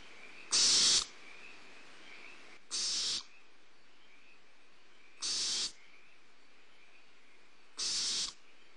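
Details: Barn owl owlets at a prey delivery on Starr Ranch, recorded by a nest camera on 2011-04-02: four harsh, hissing screeches, each about half a second long and spaced two to three seconds apart, over faint background hiss.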